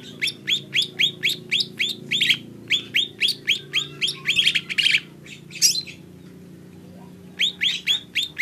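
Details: Rhythmic chirping from a lesser green leafbird: evenly spaced sharp upslurred notes around four per second, a rough buzzy phrase in the middle, a short silence, then the chirps resume.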